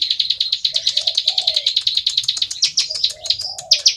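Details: Bar-winged prinia (ciblek sawah) singing actively in ngebren style, a fast buzzy trill of clipped notes that breaks into higher, louder varied chirps toward the end, with faint low cooing in the background.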